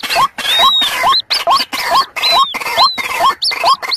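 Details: White-breasted waterhens, chicks and adults combined, in a lure recording: a loud, busy run of rising squealing notes, about two per second, with higher arched whistles laid over them.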